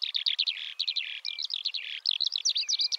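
A Eurasian skylark pours out a fast, unbroken stream of high chirps, trills and slurred whistles, with no pauses between phrases.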